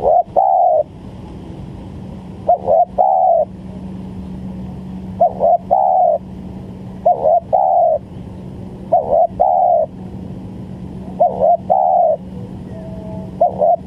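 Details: Spotted dove call used as a lure for bird trapping: low hollow coo phrases, each a short doubled note then a longer level coo, repeated in bursts about every two seconds over a faint steady hum.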